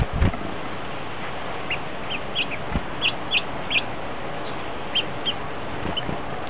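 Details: Grosbeaks feed as a group on 1 January 2010. Brief, bright call notes come singly and in loose runs of about a dozen, with a few low thumps and steady hiss underneath.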